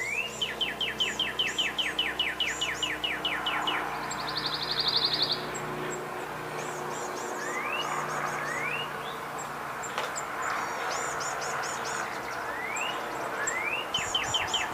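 Northern cardinal singing loud, clear slurred whistles, a rapid run of about four notes a second, then spaced rising whistles. A brief buzzy sound and steady background hum.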